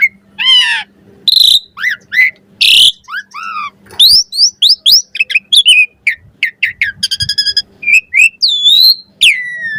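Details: Asian pied starling full varied song used as a master recording for training birds: harsh bursts, falling slurred whistles, quick chirps and rattling notes in a long lively sequence, with a faint low hum.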